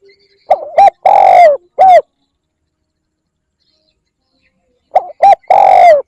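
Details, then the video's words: Spotted dove lure call with two cooing phrases about three seconds apart. Each phrase has two quick short coos, a long hollow coo that sags at its end, and a brief closing note. The background is quiet. "Tiếng chim cu gáy kích bổi"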